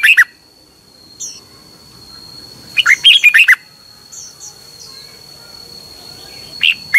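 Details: Red-whiskered bulbul kept in a cage in Thailand, in a recording used for morning training of other birds. It gives short, fast, warbled whistle phrases over a steady thin high whine, with faint chirps in the gaps.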